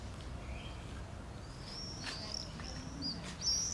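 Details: A Common Swift clinging to a building wall below a nest entrance in Nijmegen, Netherlands, on 21 July 2012 gives thin, high, drawn-out screeching notes growing louder toward the end, over a steady low background rumble.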